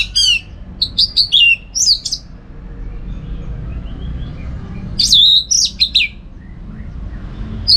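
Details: Orange-headed thrush singing energetically, used as a tutor recording for contest training: bursts of sharp, slurred high whistles and quick chirps in two clusters, separated by a pause with a low background hum.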